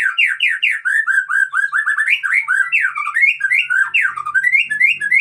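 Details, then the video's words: Aceh white-rumped shama used for breeding sings a fast run of loud, rhythmic whistled notes, several per second, each swooping down then up, steady throughout, with a faint low hum behind. "Murai Aceh"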